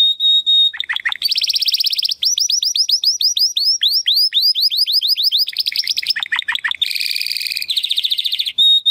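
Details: Belgian canary pouring out a varied song: a thin steady tone, low dropping notes, then long rolling trills and rapid down-slurred whistles, another burst of swooping notes and a dense buzzy roll.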